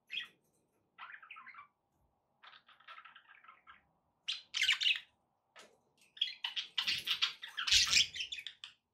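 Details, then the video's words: Budgerigars kept as pets warble in short buzzy phrases separated by silences, then break into louder, denser chirping and squawky chatter toward the end. "relaxing budgie sounds"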